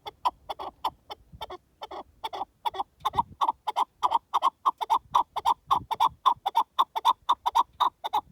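A partridge gives a rapid run of harsh, clucking notes, about four per second, steady in pitch and building in loudness over several seconds.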